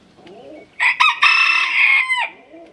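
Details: Close, loud rooster crow with a choppy start and a long, held middle note. Soft low calls from other birds can be heard before and after it.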